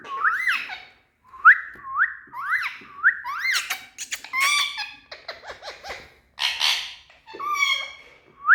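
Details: Happy Indian ringneck parakeets in a room, said to be talking, utter a string of short upswept whistles, then a jumble of harsher squawks and clicking chatter.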